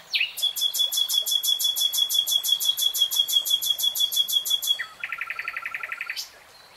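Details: Common nightingale song with a long rapid run of identical hard notes, about four per second, then a lower, faster rattle that ends abruptly in quiet.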